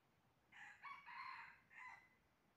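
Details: Red junglefowl crowing during trapping, a faint four-part crow with a short opening note, two drawn-out harsh middle notes and a brief final note, set against a steady hiss of background noise.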